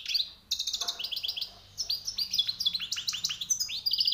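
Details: Newly caught wild European goldfinch singing high notes: quick twittering run of bright, tinkling chirps and short upward-sliding notes, fast and continuous, with a brief pause early on.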